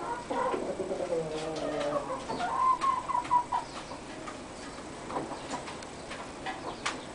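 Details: A barred hen laying an egg gives drawn-out, nasal, wavering cackles for a few seconds, then scattered short clucks over a light background hiss.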